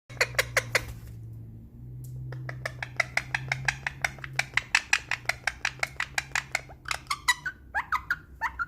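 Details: Rose-ringed parakeet (ringneck parrot) talks, chattering in quick, scratchy, speech-like syllables about three per second, ending in a few downward-swooping squeaks, over a low indoor hum.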